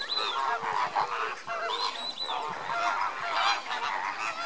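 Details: Lesser flamingo flock during enrichment: a busy chorus of short nasal honks and arched, slurred calls, several birds calling at once with no quiet gaps.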